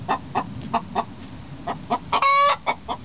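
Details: Hen egg song in a two-hen duet, bragging over an egg: evenly spaced sharp clucks, then one long, strained, nasal squawk and a few more clucks.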